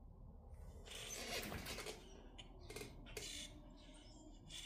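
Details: Grackles in Minnesota giving a long, grinding, creaky call followed by shorter scratchy bursts, over low background rumble.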